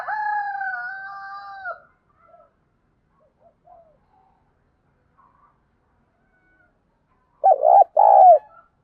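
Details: Spotted dove decoy bird with a 'thổ pha thúc' voice, used to stir up and train other decoy birds; a long steady tonal note opens, faint scraps follow, then two loud, throaty coos close the stretch.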